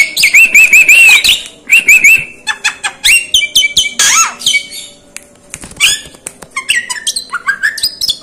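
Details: Javan myna, a bird said to be clever and able to copy other birds' calls and even human voices, giving a fast, varied run of whistled slurs, sharp chirps and harsh squawks, mostly high-pitched, with brief pauses between bursts.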